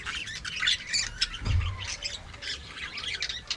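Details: An aviary flock of budgie parakeets chatters in quick squeaky bursts and short warbles. A dull low thud lands midway.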